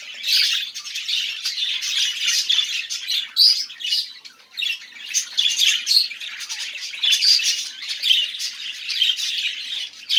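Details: A pet budgerigar's steady warble, a busy stream of chirps, clicks and squeaky notes kept up for ten seconds with frequent short peaks and only slight lulls.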